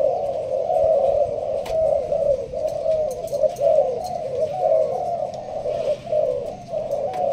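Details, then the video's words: Malaysian-strain spotted dove in a leaf-covered blind, Binh Duong, Vietnam, cooing in sparse thúc gù style: a continuous series of mellow, vibrating coo notes with soft clicks and taps behind. "Malaysia thúc gù bài thưa. thích hợp ae nuôi kiểng nghe gáy gù"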